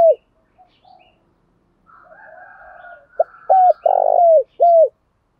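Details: Spotted dove cooing as a lure for other doves, thổ bầu style. A falling note and soft murmurs come first, then a faint higher warbling sound, then a pip, a hoot, a long buzzy coo and a falling closing note.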